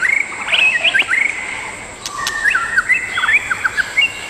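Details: White-rumped shama, one of a wild adult pair, sings a rich run of quick whistled phrases. The notes jump up and down in pitch, with a brief pause midway. A steady high-pitched drone runs in the background.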